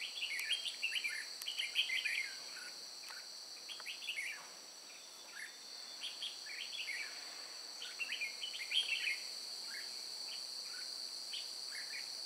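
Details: Red-whiskered bulbul recorded during bird trapping at Chùa Hương, Vietnam, on 9 May 2018: short bright warbled phrases of bouncing whistled notes, repeated in quick bursts, over a loud steady high insect drone.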